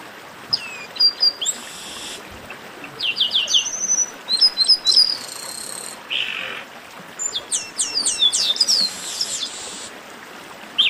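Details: Chestnut-capped blackbird chorus, known as a baderna, played to warm up singing birds: dense bursts of sharp high whistles, rising slurs and buzzy rasping notes from several birds, separated by short pauses.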